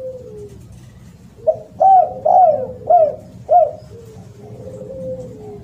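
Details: A loud spotted dove utters a soft falling moan, then four bright arched coos about half a second apart, ending with another long descending moan, over a low hum.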